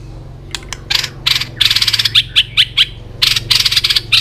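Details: White-rumped shama training song meant to spur birds to sing fast and in many voices: harsh broadband bursts mixed with short high clear notes, repeated in quick clusters, with a steady low hum beneath.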